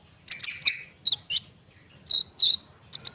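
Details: Common iora singing to make young sunbirds respond. Short bursts of sharp, high chirps and buzzy notes come in small clusters separated by brief silences.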